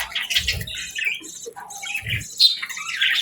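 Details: Budgerigar chirping in the morning: short squeaky twitters and little rising whistles in quick succession, with two low thumps.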